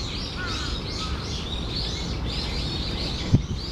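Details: Brown-eared bulbul recorded 14 October 2015 around 13:25, gives a run of harsh, high, squealing notes, which the recordist wonders might be an earthquake-warning call, over low background rumble, with a brief thump near the end.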